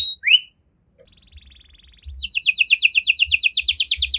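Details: Canary with cengkok mewah song: a rising whistled note, a soft buzzy tone, then a lively fast trill of repeated chirps.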